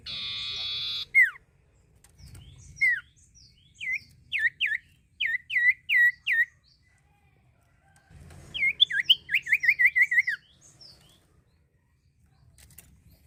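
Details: Common iora in full song, used to stimulate young birds to sing: two bursts of sharp downslurred whistles, about a dozen in all, the second burst a fast run of rising-falling notes, with low background rumble.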